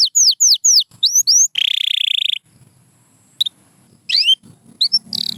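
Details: White canary sings a run of quick descending swept chirps, then a long dense buzzy trill, followed by a quiet gap and scattered high notes with a short rattle at the end.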